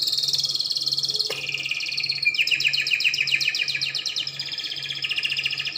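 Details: Spanish Timbrado canary, a tutor singer for young canaries, pouring out unbroken song: a smooth high trill, then rapid repeated sweeping notes in a metallic rolling series, continuing without pause.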